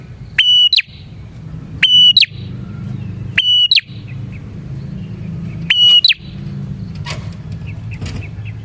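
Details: Bar-winged prinia lure song for trapping prinias: four loud click-and-whistle phrases, each a level piercing note ending in an upturned flick, then fainter chirps near the end over steady low background noise.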